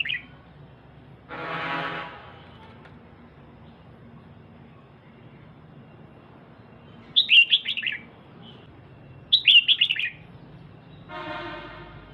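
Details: Female red-whiskered bulbul calling to stimulate the male: two quick chirpy phrases mid-recording, set between stretches of loud broadband buzzing noise.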